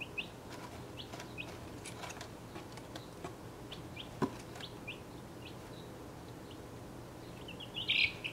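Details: Chicks aged 1.5 weeks, six breeds together in an outgrown travel box, give occasional single high peeps amid soft tapping, then a louder burst of chirping at the close.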